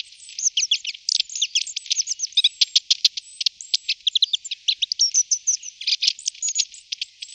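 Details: Long-tailed tit, possibly several birds, giving a dense continuous chatter of high sharp chips and short slurred notes, rapidly repeated for several seconds.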